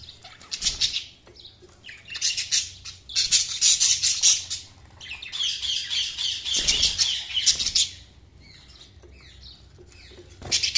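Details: Dense budgie chatter: several long runs of rapid, high, raspy chirps and warbles, with brief pauses between bursts and a low thump near the middle.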